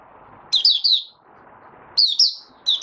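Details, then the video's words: A Mata Puteh Raja (white-eye) male stabilizing his form and opening into song, 8 January 2022: quick bursts of high warbling twitters, tumbling three-note runs about every 1.5 seconds over soft hiss. "Mata Puteh Raja Stablizing his form buka sing"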